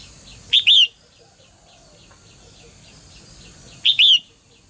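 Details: Calling female bird meant to prompt males to sing energetically: a strong double chirp, short then drawn-out and arched, heard twice about three seconds apart, with soft rhythmic chirping of distant birds and a constant faint hiss.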